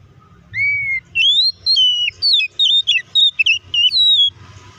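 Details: Oriental magpie-robin song used to provoke other magpie-robins into fast, aggressive replies. A lower drawn-out whistle leads into a rapid string of bright, looping high notes that bend up and down, ending in a descending trill.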